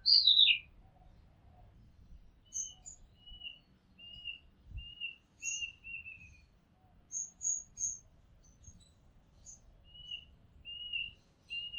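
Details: Oriental magpie-robin recorded from a house rooftop: one loud falling whistled phrase, then faint, distant steady whistles and thin high notes repeated over low background rumble.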